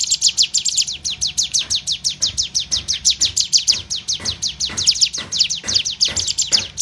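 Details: Sunda warbler, locally called ciblek gunung, learning to fight: long, fast chatter of high, thin descending chirps, roughly five to six per second, keeping a steady rhythm with slight pitch variation and faint low background noise.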